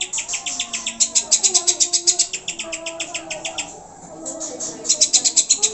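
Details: Greater green leafbird singing in a lure recording aimed at making pet birds sing and become agitated: rapid high chirps about four a second, briefly pausing, with softer lower whistled phrases from other birds beneath.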